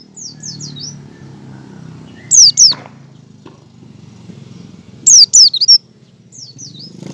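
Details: Oriental white-eye chattering ("ngecal") and practising its song, used as a lure recording to get white-eyes to sing: high, thin twittering phrases in short bursts of two or three quick notes, repeated every few seconds over a faint low hum.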